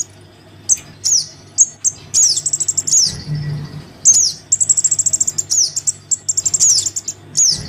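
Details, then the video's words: Crimson sunbird chick calling for its parent, used as a lure to bring wary adults down: very high, thin, sharp descending chips mixed with rapid buzzy trilled bursts, repeated in quick loud runs with short pauses; faint low hum underneath. "Suara pikat [anakan sogon memanggil induknya]"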